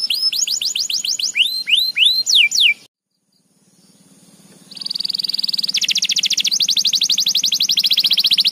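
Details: Canary in full gacor voice: bright curving whistled sweeps in quick succession, a short break, then a trill that starts softly and swells into a loud, fast, stepped rattle.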